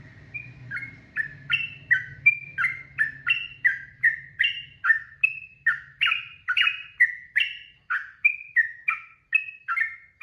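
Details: A lively yellow-vented bulbul pours out long 'ropel' song for young birds to learn from. Quick alternating chirped and slurred notes come steadily, close to three per second, with a low hum fading after the first few seconds.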